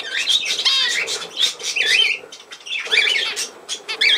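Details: Budgerigar warble recorded on 17 November 2024, made of rapid rasping chatter mixed with wavering whistled squeaks that come in uneven bursts about once a second.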